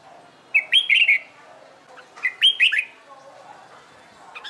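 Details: Competition-trained red-whiskered bulbul singing two lively warbled phrases, each a run of rising then falling slurred whistles with crisp high ticks, separated by a short pause.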